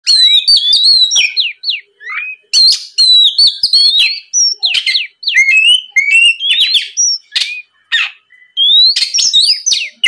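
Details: Oriental magpie-robin, a lure recording meant to make other magpie-robins answer and sing; loud, rich song of whistled rising and falling notes, sharp chirps and slurred phrases in bursts, brief pauses between phrases.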